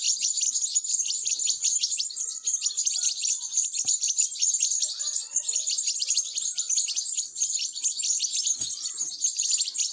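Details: European goldfinch chicks begging while being fed: a continuous, dense chorus of thin, high, rapid chirping with no breaks.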